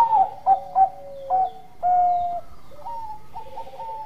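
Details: Lively zebra dove song of the Bangkok type, meant to stir other doves into singing; three loud clipped coos open, followed by a long level coo and softer repeated notes as another bird answers at a lower pitch.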